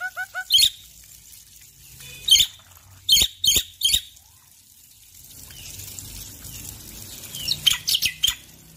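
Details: Male Black-winged Myna (Sturnus melanopterus) singing actively in the morning: loud, harsh, high chip notes, single and in quick bursts, opening with three short falling whistles, over a soft rush of added water sound.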